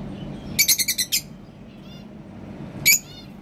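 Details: Hungry cockatiel giving two bursts of sharp, high chirps: a rapid run of about six notes, then a short pair near the end, over a low background hum.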